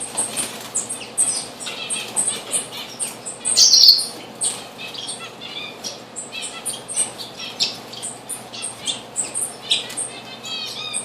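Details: Diamond firetail at a bird bath, recorded 04-06-2013: a busy stream of short high chirps and thin notes, with a louder squeaky burst near the middle, several birds calling over splashing and flutter.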